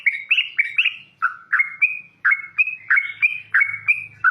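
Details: Yellow-vented bulbul calling loudly in the wild, delivering short liquid whistled phrases, each a stepwise rise, repeated about every third of a second, with a faint low hum underneath.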